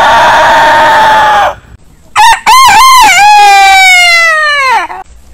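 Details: Heritage breed rooster: end of a long crow, a pause, then a full cock-a-doodle-doo with three quick stuttered rising notes leading into a long drawn-out descending crow lasting nearly three seconds.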